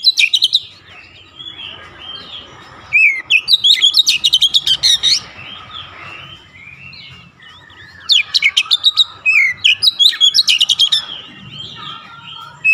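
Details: Oriental magpie-robin singing persistently to calm and encourage stressed birds: two long bursts of dense rapid chirping and whistles separated by quieter warbling stretches, with a steady low hum throughout.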